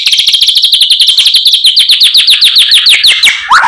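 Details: Wild sikatan londo flycatcher producing a long, rapid series of identical sweeping high notes, about ten per second, held steady for over three seconds before a lower slurred note ends it.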